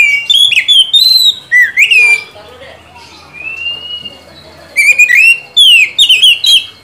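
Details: Oriental magpie-robin (kacer) song used as a lure to make a silent kacer sing steadily and loudly: bursts of loud whistled notes, rising and falling with sharp slurs, then a soft mid-clip pause before a second burst of quick whistles.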